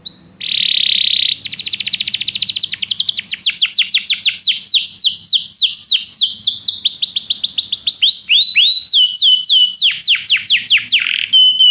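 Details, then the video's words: Belgian canary singing to stimulate other canaries: opens with a steady buzzy note, then long fast trill of descending whistled strokes, changing into rolling sweeps and rising phrases, loud and continuous. "canário especial para seduzir todos os canários - canário belga cantando"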